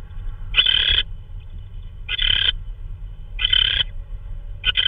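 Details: At 3:12 AM on March 16, 2013, an owl brings prey, possibly a vole, to the nest. Four rough, breathy screeches roughly every one and a half seconds, with low rumbling hum beneath.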